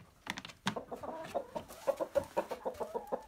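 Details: Hens and a rooster in their coop on a typical day: a steady run of quick, pulsed clucks, roughly three to four per second, rising slightly in pitch, with a few knocks at the start.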